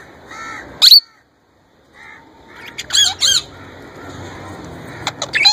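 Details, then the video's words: Caged young male plum-headed parakeet copying a ringneck parrot's voice: one loud, piercing squawk, a short silence, then softer buzzy chattering notes and a few sharp clicks. "My Young Plum Head Male trying to Talk & Copy Ringneck Parrot voice"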